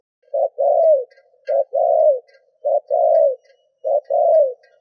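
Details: Lure spotted dove urging on other doves with fast repeated coos, four phrases in under five seconds, each a short low note then a longer falling hoot; light chirping of other birds in the background.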